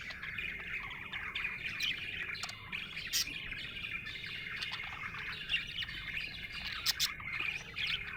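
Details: A happy budgerigar chatters on without pause, soft rapid warbling laced with occasional crisp clicks and short high chirps.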